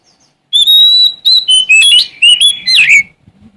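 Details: Sumatran Oriental magpie-robin singing to find a challenger: a long steady whistle followed by a lively string of short whistled notes stepping down and up, finishing in a swooping, harsh-edged slur.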